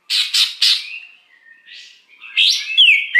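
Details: Greater green leafbird, a wild bird, singing a luring song: three harsh, buzzy notes, then soft sliding whistles, ending in loud rising and falling whistled phrases.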